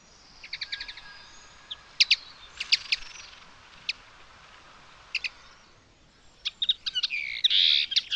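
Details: Common linnet recorded on 19 May 2021 at Territorio Lince, Spain, singing a bright, twittering string of short high notes and quick trills, broken by brief pauses, then rushing into a denser burst at the end.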